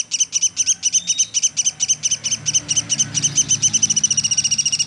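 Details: Pelatuk sampit woodpecker calling nonstop, kept as a tutor recording for songbirds: rapid, sharp, high chips repeated about eight to nine times a second in a steady run, with a faint low hum beneath.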